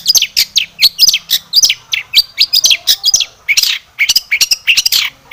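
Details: Long-tailed shrike in animated song full of fill phrases, intended as a lure: fast, continuous chatter of scratchy chirps and short whistled slurs, growing harsher and buzzier toward the end.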